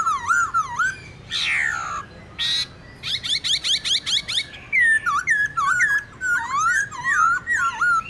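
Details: Song in wild style from a White-browed laughingthrush, intended to stimulate caged birds. Looping whistles, two harsh rasping bursts, a fast run of clipped notes, then lively swooping whistled phrases.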